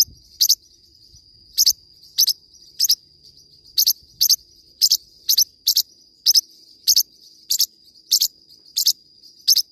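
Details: Singing Forpus parrotlet giving bright double-note chirps, short and very high, in a loose series about every half to one second, a continuous faint high tone running underneath.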